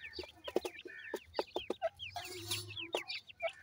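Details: Several young francolins, called teetar chicks, peep constantly in short high slurred notes, some rising and some falling, broken by sharp clicks and a brief steady droning tone near the middle.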